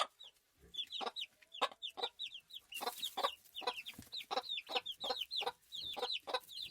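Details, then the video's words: Farm chicken ambience: quieter, distant-sounding clucking pulses from many birds, with a constant chatter of high curved chirps and a brief hiss midway. "Farm Chickens Ambience Sound Effect"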